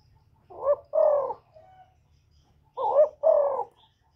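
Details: Cà Mau spotted dove in Vietnam, recorded as a lure call for dove trapping, giving two paired coos about two seconds apart. Each is a quick rising note followed by a fuller falling coo, with a faint low hum beneath.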